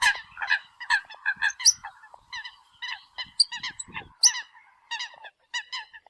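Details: Eurasian coot decoy calling: a rapid, busy run of harsh, nasal honking notes with a few sharp high squeaks, steady for about five seconds before a short pause.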